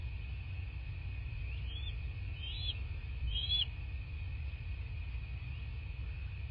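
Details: Bald eagles at a nest in southwest Florida, on a March morning, giving three thin, high, squealing notes in quick succession, over a constant low rumble and steady hum.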